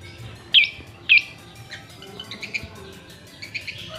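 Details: Long-tailed shrike, a tame Madura-type bird singing outside its cage: two loud, sharp high chirps about half a second apart, followed by softer scattered twitters over faint background noise.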